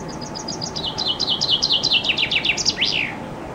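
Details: Common chaffinch singing loudly under a window in summer, heard from a balcony and recorded on a compact camera. A quick series of bright, descending trilled notes speeds up and ends in a sharp downward flourish, with a faint steady hum behind it.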